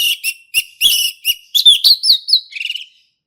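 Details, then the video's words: Wild male orange-headed thrush in forest, singing lively in ngeplong style: a run of short, high, sharp notes, then sliding whistles and a closing burst of quick buzzy notes; no other sounds. "SUARA ASLI HUTAN ANIS MERAH JANTAN GACOR NGEPLONG"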